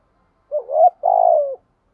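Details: Spotted dove challenging to fight: a rising, wavering cooed note followed by a long buzzy coo that drifts downward, soft and low.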